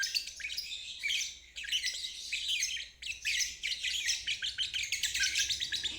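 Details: High, rasping, rapid trilling of a lovebird in ngeriwik style, played for young birds to learn from; nearly unbroken chatter with a short dip at midpoint.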